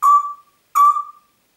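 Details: Whistling Congo grey parrot, a pet in Diebach near Hammelburg, Germany, 4 April 2012: two clear, level, flute-like whistles of about half a second each, the second after a short pause, in a quiet room.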